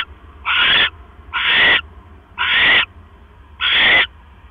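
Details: Mouse brought to an owl nest at 9:40 PM on October 12, 2015; four strong, airy screech-hisses arrive roughly every second and a bit, separated by quiet gaps with faint hum.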